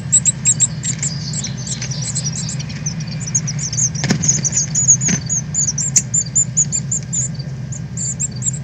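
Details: Northern cardinals fledging and learning to fly, 13.8.2020: a steady stream of high, sharp chips and squeaky notes, irregularly spaced, with a few knocks and a constant low rumble behind.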